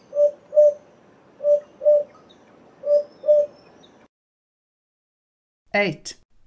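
African Cuckoo giving hollow, low two-note hoots, three pairs spaced about a second and a half apart, followed by a brief spoken voice.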